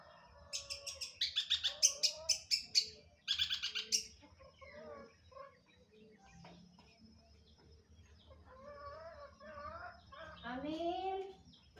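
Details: Long-tailed shrike in vigorous song: about three seconds of loud, harsh scratchy rasps repeated rapidly, followed by softer varied chattering and warbled notes, ending with a rising whistled slur.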